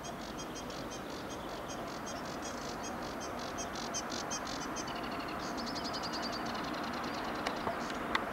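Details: Sedge warbler recorded 23 May 2022 giving a fast, scratchy, chattering song of varied high notes with quick buzzy trills, over a steady low rumble of background noise.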